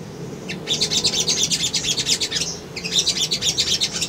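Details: Sunbird lure song for drawing a response and a rival: two long phrases of fast, high-pitched chittering pulses, evenly stuttered, separated by a brief gap.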